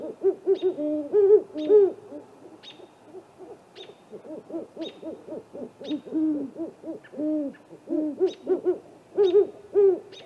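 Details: Pair of great horned owls at night, 8:50 pm on April 21, visiting a great gray owl snag tree nest, caught by a live nest camera: rapid, uneven runs of arched, mid-low hooting notes, with thin high whistled notes recurring above.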